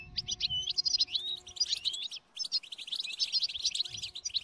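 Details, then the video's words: Lively European goldfinch song of quick tinkling notes and twangy slurred phrases, pausing for a moment before resuming just as fast; a faint low hum sits underneath. "La canción de motivación más fuerte hace que el jilguero cante sin interrupción."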